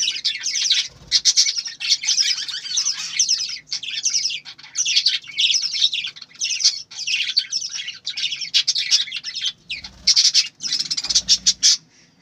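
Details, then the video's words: A flock of farm-kept budgerigars chatters nonstop. Busy, high, scratchy warbling comes from several birds at once, with occasional soft low thumps in the background. "বজিগর পাখির ডাক । পাখির কিচিরমিচির শব্দ"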